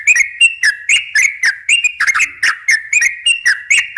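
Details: Lively sooty-headed bulbul song in the 'ropel' style, meant to draw in untrained wild bulbuls: a quick, steady run of sharp, bubbly chirps, about four each second, with no gaps.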